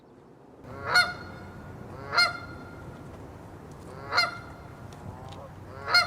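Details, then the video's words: Canada goose, a wild goose, giving loud, nasal honks, four strong ones spaced one to two seconds apart with a fainter honk between, over a low steady rumble. "Cri de la Bernache du Canada | Canada goose sounds. Wild goose call"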